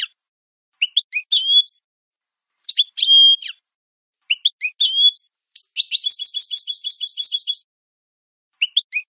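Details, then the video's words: European goldfinch with a clean song recorded for training captive birds; bright twittering phrases and a sustained whistle, followed by an even, rapid trill of repeated notes, all in quiet surroundings. "Canto limpio de Jilguero"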